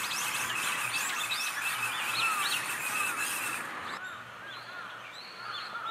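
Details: Brown-eared bulbuls swallowing cherries whole; a rapid series of bright, arched chirping notes repeats several times a second, then breaks off into scattered softer calls and lower slurred whistles.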